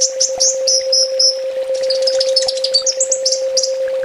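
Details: Sunbird master song for training: a busy, varied twitter of high sliding notes and quick chirps, about four per second, with a persistent low hum.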